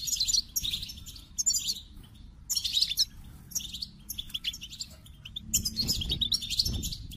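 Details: Goldfinch twittering in loud, scratchy bursts of high notes separated by short gaps, mixing buzzy rattles with clear chirps; soft low-pitched background noise, stronger toward the end.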